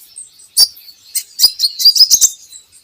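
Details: Van Hasselt's sunbird, a recording for getting kept birds to sing: rapid high, squeaky chirps and twitters building into a dense run, mixed with sharp clicks.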